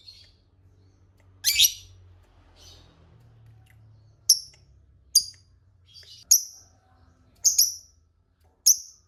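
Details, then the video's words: Lovebird calls meant to lure rival lovebirds into answering: scattered sharp, high chirps, a few softer notes between them, then five clear chirps roughly a second apart, over a faint low hum. "Pancingan Lovebird Paling DiSUKAI Lawan AUTO Nyaut Ngekek Bersahutan, Burung Lovebird Ngekek Panjang"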